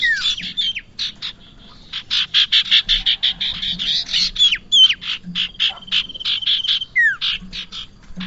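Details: Bar-winged prinia call used as a lure for trapping birds: rapid, uneven runs of sharp, high clicking notes with a few short whistled slurs, sometimes merging into a brief continuous trill. A faint low hum sits underneath.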